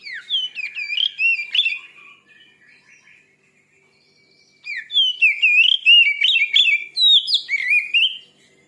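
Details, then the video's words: Aggressive kacer, the Oriental magpie-robin, singing to provoke other birds: bursts of rapid, varied whistles and swooping chirps, a softer quiet stretch in the middle, then a second loud run of tumbling notes. "Suara burung kacer terganas.sangat ampuh cepat bikin emosi Kacer anda.!"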